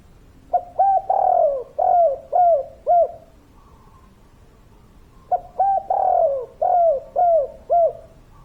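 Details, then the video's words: Spotted dove, local and in full voice, repeating its cooing phrase twice about five seconds apart: two short opening notes, a long falling coo, then three shorter rounded coos. "Derkuku Tekukur Gacor Suara Padat"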